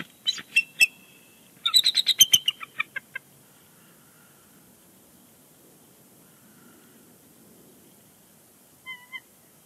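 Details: Bald eagles on the Big Bear Lake nest, 30 January 2020, calling before they leave; a few sharp high notes, then a fast descending run of squeaky chatter, followed by quiet and a brief faint tone.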